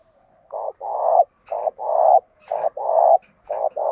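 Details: Decoy spotted dove with a fine, well-structured cooing voice, used to stir other doves to coo quickly. Low, hollow coos come in paired phrases, a short note then a longer rolling one, repeated about every second with soft gaps.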